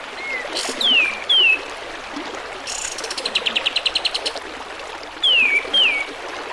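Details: Kapas tembak bulbul song with trickling stream sounds, made to tutor cage birds: paired downward-sweeping whistles at the start and end, separated by a long, evenly pulsed buzzy trill.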